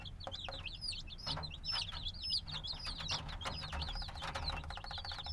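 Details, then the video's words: Several newly hatched black chicks, only days old, give a busy chorus of shrill descending peeps, closely packed and overlapping, over a low rumbling background and occasional tapping sounds. "Baby Chicken Sounds - Baby Chicken Chirping Noises"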